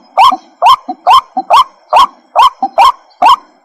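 A white-breasted waterhen gives harsh, nasal croaking notes, about two a second and very regular, with softer short notes tucked between them.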